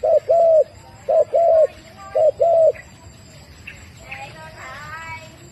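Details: Turtle dove cooing: three loud, mellow phrases, each a short hoot followed by a longer drawn-out coo, about one second apart, then quieter mixed background sounds.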